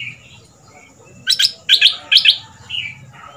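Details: Red-whiskered bulbul decoy, caged for two months in southern Thailand, gives its fierce double-style song so young birds learn it; a quiet warble opens, then two pairs of loud, ringing, clipped notes, ending in a softer trill.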